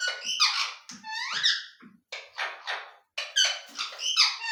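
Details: ['Talking ring-necked parakeet in a small indoor room, producing rapid, rasping, word-like bursts with bending pitch, nearly continuous with only brief gaps between phrases.']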